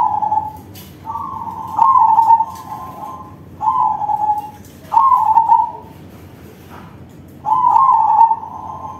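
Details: Zebra dove of the crossbred perkutut type singing loudly, five bubbling trilled coo phrases of roughly one second each, level in pitch, separated by short pauses, light tapping noises behind.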